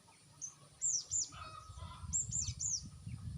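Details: Crested jay calls played as a lure to make birds respond: bright, high downslurred whistled notes in two clusters of two and three, with a lower drawn-out whistle between them and low rumbling noise underneath.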